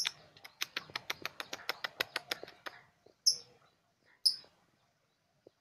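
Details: Young lovebird, about three months old, learning ngekek chatter: a run of dry clicking notes roughly four per second, then a pause and two sharp, high squeaks spaced a second apart.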